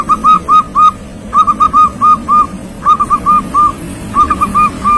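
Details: Young local zebra dove, described as a lively, steady singer, giving repeated soft cooing phrases of about four to five notes each, every one or two seconds, over a low background hum.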